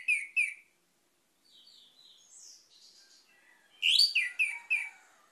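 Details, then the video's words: Orange-headed thrush singing two sharp chirps, then a soft, thin warble, then a loud run of four or five ringing, downward-slurred notes. "PUTARKAN INI‼️ ANIS MERAH MACET AUTO GACOR"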